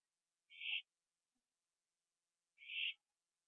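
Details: Owl on a porch late at night, 21 September 2011, after eating a gopher; two short, rough hissing screeches roughly two seconds apart, otherwise near silence.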